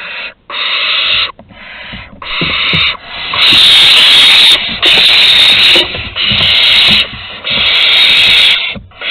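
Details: Barn owl young begging at the entrance as prey is delivered, Théding, 15 August 2020: a rapid run of rough, breathy hisses, some overlapping, with the harshest bursts in the middle and near the end.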